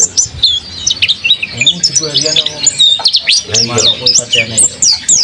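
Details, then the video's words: A kept mountain white-eye, called a loud, energetic singer, gives quick bursts of high, piercing chirps and sweeping twitters, while a man's voice and background music are heard in the middle. "Pleci monty nih coyy"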